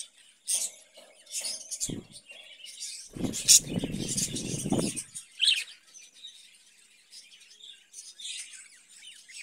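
Budgerigars give scattered high, scratchy chirps and warbles, with a burst of rustling and cage clatter in the middle.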